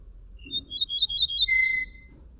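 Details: Common linnet song: a quick twittering run of bright, high notes that slides into a sustained, slightly falling whistle. Low background hum underneath.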